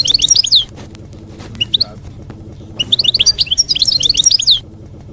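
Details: European goldfinch singing in campero style, meant for juveniles to copy; fast, liquid twittering bursts of high chirps and trills, a short chirped fragment in the middle, then a longer run of tumbling notes.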